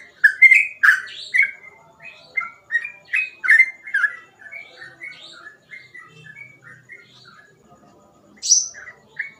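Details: Sooty-headed bulbul singing in the lively gacor ropel style, with phrases described as easy to imitate: short whistled notes, some sliding or slurred, in a rapid irregular run, then a pause and a sharp high note near the end.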